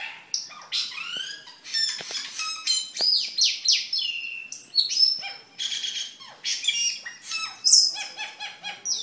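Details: Lively cucak keling song kept for training other caged birds and as a lure, a rich, varied run of slurred whistles, sharp downward swoops and chattering phrases delivered almost without pause.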